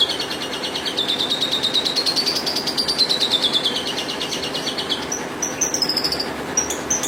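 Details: Horsfield's bush lark (branjangan) singing a long rapid run of high, buzzy, evenly spaced notes that climb and then slowly fall in pitch, followed by varied short chirps and whistles, over a steady background hiss.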